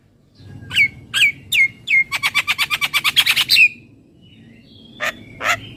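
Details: Javan myna: four sharp, downslurred whistled chirps about half a second apart, then a rapid stuttering rattle over a steady whistled tone, then two short rasps.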